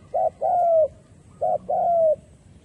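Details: Decoy spotted dove calling to draw in wild doves for trapping. It gives two phrases, each a brief low hoot followed by a drawn-out coo sliding slightly downward, with a pause between them. The background is quiet.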